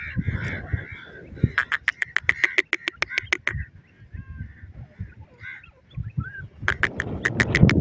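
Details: Grey francolin, locally called koti teetar, on open ground: bursts of rapid sharp clicking notes with harsh ringing tones, a long series in the middle and another burst at the end, with low rumbling background noise.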